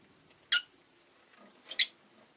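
A rosy-faced lovebird gives two short, harsh, high chirps about a second apart in a quiet room.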